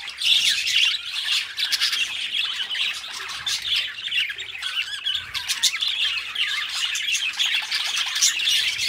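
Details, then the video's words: Budgerigars kept as pets, two birds chattering noisily: grating squawks, squeaks and clicking chirps packed tightly together without a break. "2 Hours of Budgie Sounds: Birds Singing You to Sleep"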